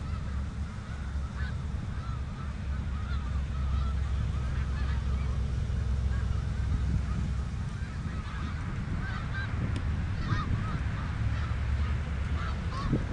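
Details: Snow geese on the Richelieu River, a flock honking: many overlapping high nasal yelps, denser in the second half, above a constant deep rumbling background.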